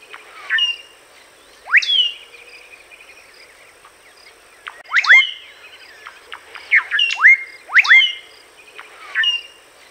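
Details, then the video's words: Common blackbird song outdoors: clear, whistled phrases with steep up-and-down sweeps and a held mid-pitched note, repeated every one to two seconds over a faint steady background hiss. "BLACKBIRD VOICE | COMMON | TUDUS MERULA | TRUE THRUSH | EURASIAN | MELODIOUS | SONG"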